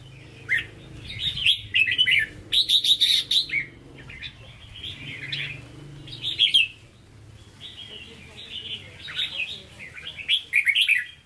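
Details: Caged red-whiskered bulbul, a bird for sale, in Hue-style song: repeated bursts of rapid ringing whistled notes separated by short gaps, fairly loud and sustained, with a low background hum.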